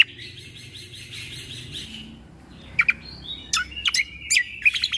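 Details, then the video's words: Greater green leafbird, called cucak kombo, in a full 'tembakan' training song for young shamas: an opening fast rattling buzzy trill, then pauses and loud sharp piercing whistled notes in a quick series. "MAsteran Cucak Kombo Ini Agar Punya Karakter Suara Tembakan"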